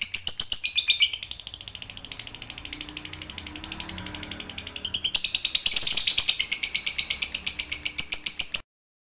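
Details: Lovebird call meant to provoke other lovebirds into answering, a long, fast, shrill chatter of rasping notes repeated about four times a second, growing louder midway and running nearly nine seconds before stopping abruptly.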